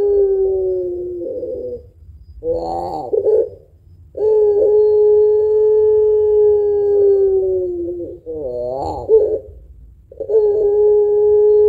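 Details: Puter pelung dove with a long voice and heavy final note, kept as a lure for other birds: repeated long steady coos, each about four seconds, separated by short warbled, tremulous notes.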